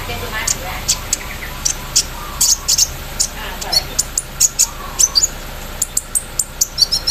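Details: Javan sunbird dewed in the early morning, giving thin, very high chirps spaced in quick runs and clusters, embroidery-machine style, with quiet background noise.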